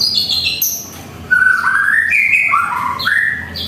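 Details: White-rumped shama at home in the morning, opening with high thin notes, then a run of fluting whistles that rise, fall and rise again.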